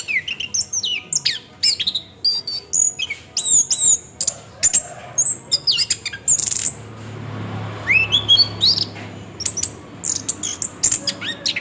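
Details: Orange-headed thrush song played as a lure to make the bird sing, rolling style: rapid high whistled phrases and sharp sweeping notes, dense and varied, with a short pause near the middle and a low hum beneath.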